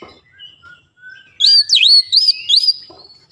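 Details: White-rumped shama song used as a lure to provoke other shamas into singing; after faint thin whistles, a loud run of rich swooping, looping whistled notes rises and falls for over a second, then fades.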